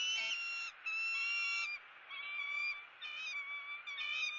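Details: Eagle raising its young, calling in a series of sustained whistled notes with bright stacked overtones. The notes are held steadily with brief breaks between them, then shorten into quicker, slightly wavering notes toward the end.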